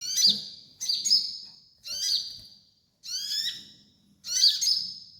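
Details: Sunbird song used as a training master for young caged birds: five bright, high chirped phrases, each a sharp note trailing into a falling harmonic sweep, spaced about a second apart with short silences between.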